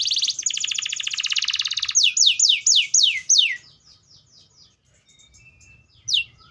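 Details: Atlantic canary singing. A fast buzzy roll lasts about two seconds, then five loud whistles slide downward. Softer faint notes follow, and one more descending sweep closes the phrase.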